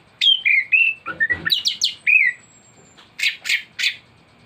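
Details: Thrush (anis) song used as a master recording to tutor birds: loud varied whistled phrases, slurred notes and sharp chirps in quick succession, with a faint high thin whistle in the background.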